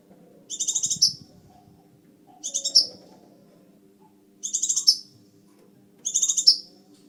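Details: Scarlet minivet repeating a high buzzy trill that ends in a bright upslurred flick, four phrases spaced about one and a half to two seconds apart, over a faint hum.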